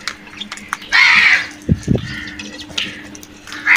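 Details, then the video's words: Crow at food giving one harsh drawn-out caw, followed by quieter scattered calls and two low knocks. "Crows vocal and brutal attack on food"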